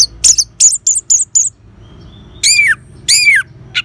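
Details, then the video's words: Orange-headed thrush song used to coax caged birds into singing: several quick high twittering notes, then two long, loud, downward-slurred harsh phrases and a final short note. "Suara Ngeban Untuk Pancingan ANIS MERAH Jitu Membuat Burung Gacor"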